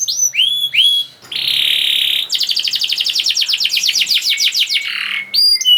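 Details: Continuously singing canary, used as a lure for silent birds: opening upswept whistles, a steady harsh buzz of about a second, then a long run of sharp repeated chips and more whistles.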